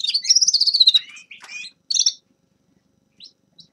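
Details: A short burst of Grey-crowned goldfinch song: a quick run of about ten high, even chirps, then a few twittered notes and two soft calls after a pause.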